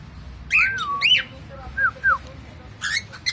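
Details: Pet cockatiel giving clear whistled notes that swoop down and level off, followed by two short falling whistles and a brief rough squawk at the end, indoors with little background noise.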